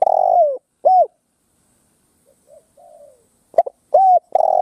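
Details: Cooing of a spotted dove used as a ground lure to draw wild doves into a fight: a long falling coo and a short coo, soft quiet notes in the gap, then clipped notes and steady loud coos.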